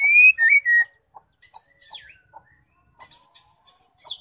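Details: Female white-rumped shama song, used to spur males to sing: a loud clear whistle and two lower slurred notes, a short pause, then bright high chattering notes and a falling slide, and finally rapid high trilled chirps.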